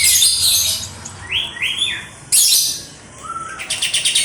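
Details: {'text': 'White-eared sibia (kapas tembak) giving bright rising whistles between loud, rough high-pitched bursts, ending in a fast stuttering series of clipped notes.'}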